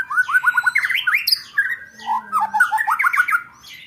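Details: White-rumped shama 'roll tembak' song used to train contest birds: rapid rattling runs of short whistled notes in fast sequence, broken by a short slurred phrase, then another quick rattled run.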